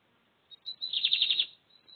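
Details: Lined seedeater (bigodinho) from a Brazilian breeder, 2023 season; a short, loud, buzzy trilled burst of rapid repeated notes lasting under a second, preceded by a brief high chip, with a faint high note trailing after.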